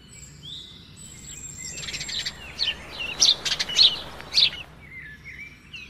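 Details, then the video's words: A nightingale sings beside a river with trees: a long thin whistle opens, then a loud stretch of fast sharp chirps and rapid trills, easing into softer slurred whistles against a low background hum. "the sound of the nightingale"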